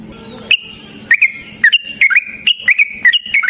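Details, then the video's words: Trucukan, or yellow-vented bulbul, in full fighting song as a lure; after a quiet start come rich whistled notes that dip and rise, tumbling into quick repeated phrases, with a faint low drone behind. "Suara Burung TRUCUKAN gacor TARUNG ROPEL PANJANG pancingan trucukan agar JADI trucuk gacor EMOSI"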